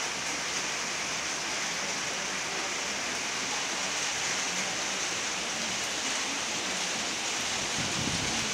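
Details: Steady broadband hiss like heavy rain or rushing water throughout, with no animal calls heard.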